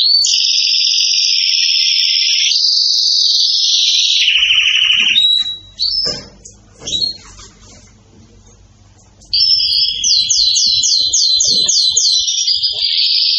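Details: Agitated canary delivering long sustained trills in two pitch layers, a few seconds of quiet with soft background noise, then resuming with a quick series of sharp slurred notes and a steady trill.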